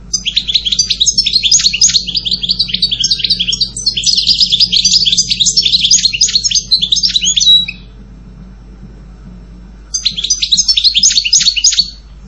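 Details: European goldfinch song: rapid, sustained twittering of high tinkling chirps and trills for about seven and a half seconds, a pause, then a shorter burst of the same bright twitter; faint low hum beneath.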